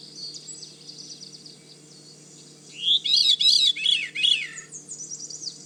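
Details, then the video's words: Veery song in damp, swampy woodland at Manchester Cedar Swamp Preserve, New Hampshire, breeding season, a song usually heard in early morning or near dusk: one breezy metallic whirl of spiralling fluty notes descending slightly for about two seconds, with faint other birds behind. "The Veery song sounds like a metallic whirl that descends slightly in pitch."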